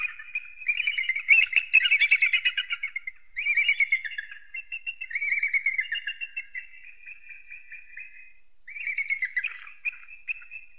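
An eagle gives thin, high chittering calls: rapid runs of piping notes lasting a few seconds each, falling slightly, with short pauses between bursts.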